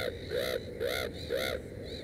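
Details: Black-headed gull at its nest with three chicks, giving harsh, arched calls, four in about two seconds, each roughly half a second apart, over a steady low background rumble.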